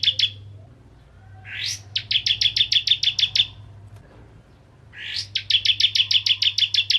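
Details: Bar-winged prinia, 'ciblek kristal' type, in full song, used to provoke other prinias into singing: a rising buzzy sweep followed by a fast run of about ten sharp high notes, repeated twice, with a low steady hum beneath.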